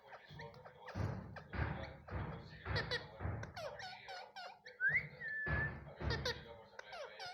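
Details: Indian ringneck (rose-ringed) parakeet talking, repeating "meow" and "me too" in quick, slightly harsh bursts with one rising whistle, over dull thumps and background noise.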